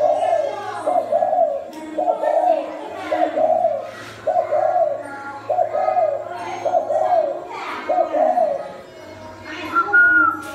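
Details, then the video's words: Indoors in Thai Nguyen, Vietnam, a caged spotted dove gives a long series of low, burry coos in paired bursts, roughly one per second, with faint voices behind and a short human whistle near the end. "Chim cu ta khiển khách cứng"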